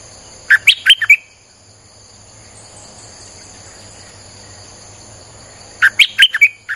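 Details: Streak-eared bulbul singing as a lure for wild birds: a fast phrase of four or five clipped, bright notes, a five-second pause filled with steady high insect-like whine, then the same phrase again.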